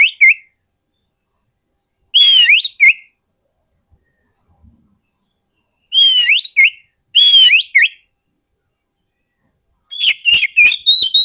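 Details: Oriental magpie-robin lure song for wild birds: loud whistled phrases with sliding upward notes, repeated several times with pauses, ending in a quick jumble of sharp chirps.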